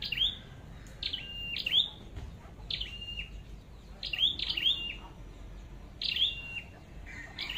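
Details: Scarlet-backed flowerpecker, a trapped bird, giving sharp, high, slightly buzzy notes, single or in quick pairs, about one every second or two; faint background rustle.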